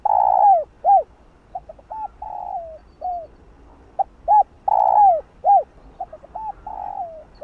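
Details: Spotted dove calling and cooing to excite other doves. Long falling coos alternate with short arched hoots and clipped notes in repeated phrases, several phrases overlapping closely over about seven seconds.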